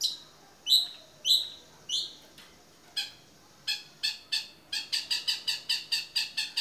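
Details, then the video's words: Long-tailed shrike, lively 'toet miyik' song used to tutor other birds: a few loud down-slurred whistles, then scattered harsh notes building into a rapid run of buzzy, grating notes near the end. "CENDET GACOR TOET MIYIK MASTERAN UNTUK SEMUA JENIS BURUNG"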